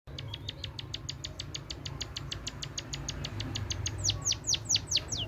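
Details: Munia singing actively in a rolling style, its song filled with canary phrases: a fast, even train of short high ticking chirps, about two per second or more, ending in a run of louder down-slurred whistled notes over low background hum.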